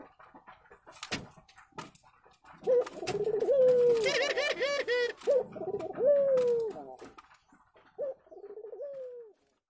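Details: Local spotted doves courting in the nest before laying eggs: series of low throaty rolling coos with long falling endings, a brief scratchy burst mid-sequence, ending with a short coo after a pause, faint clicks in quiet gaps.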